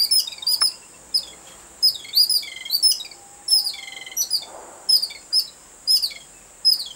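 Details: Babbler excited on seeing a cat, a species that comes in noisy groups of five or six; loud, harsh, high chirps with falling sweeps, given in short bursts roughly every half second to second.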